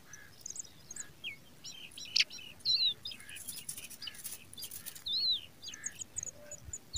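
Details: Pipit chicks on the ground in grass give thin, high chirps and a few sharp down-slurred whistles, scattered irregularly over seven seconds, with faint background hiss.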